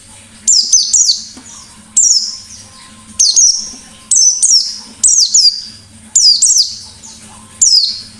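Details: Lure recording of a white-eye in full ngalas song, delivered as rapid shooting bursts: seven shrill, descending twittery phrases at irregular intervals of roughly one second, with a soft steady hum beneath.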